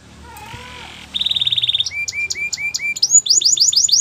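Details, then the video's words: Training song of a canary: after a quiet start, a fast even high trill, then spaced dropping whistles alternating with higher chips, finishing in rapid curved notes. "The best canary sounds | Canary song for training"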